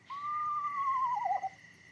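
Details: Eastern Screech-Owl of Wisconsin, a tiny owl with a two-part song, possibly a male: a single mellow whistle sliding downward over about a second and a half, turning quavery at the end, over a faint steady tone.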